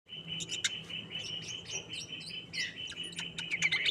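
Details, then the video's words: Greater green leafbird singing during mental training, in an agitated state: dense, rapid chirps and sharp high notes pile over a steady, unbroken high whine, with a faint low hum beneath. "Emosi‼️Latihan mental cucak hijau"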